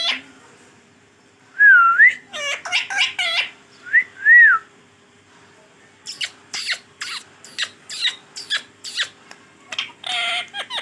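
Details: Pet green Rose-ringed parakeet talking: a couple of bright rising-falling whistles near the start, then a run of short chattering, speech-like syllables with brief pauses between them.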